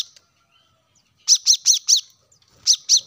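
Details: Plain-throated sunbird, played to get caged birds singing: a run of four rapid high piercing chips, a pause, then two more.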